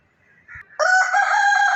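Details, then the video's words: Rooster crowing in the morning: a soft lead-in note, then a loud harmonic-rich cock-a-doodle-doo that starts abruptly and holds steady to the end. "Good morning hen Rooster Sounds"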